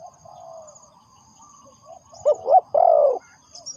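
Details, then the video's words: Spotted dove used as a trapping lure: after a quiet stretch of faint murmuring, three soft, low coos rise at the end, the last one longest and fullest. "The Sound Of Spotted Dove is good"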